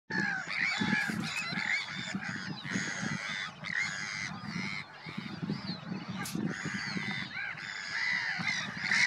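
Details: Harsh, grating Sandwich tern calls at Påarp, Halmstad, Sweden, on 9 July 2024, overlap almost continuously, as from many birds at a colony, over a low rumble of wind or surf.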